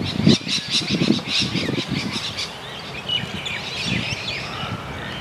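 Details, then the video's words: A sulphur-crested cockatoo gives harsh, raucous screeches in quick bursts, followed by thinner chirps and whistles from smaller birds. "Sulphur-crested cockatoo"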